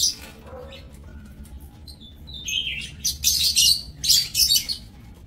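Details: Lovebirds in an aviary cage, recorded 30 May 2024: after a quiet start, shrill broadband chirps and squawks burst out in irregular clusters, several birds overlapping, over a steady low hum.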